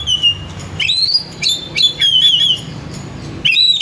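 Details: Oriental magpie-robin singing richly to stimulate others to sing: long pure whistles that slide upward, hold and waver, linked by crisp clicks and short chirps, a rich flowing phrase ending in a final rising whistle.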